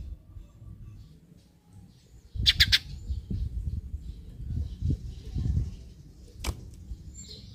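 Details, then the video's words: Eurasian tree sparrow, used as a lure to make other sparrows call: a burst of three rapid harsh chirps, then a single sharp chirp later, with faint background chirping and low rumble. "Pancingan Gereja agar burung gereja lain ikutan bunyi"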